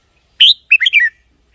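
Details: Red-whiskered bulbul singing, meant for decoy use or to excite caged birds. A clear rising whistle is followed by a rapid cascade of three or four sweet descending notes.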